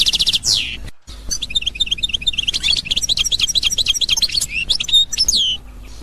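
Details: A 2021 Algerian goldfinch in the authentic Constantine style opens with a rising, pulsed trill, pauses, then pours out fast tinkling twitters and ends with downward-sliding whistled notes over a soft background hum.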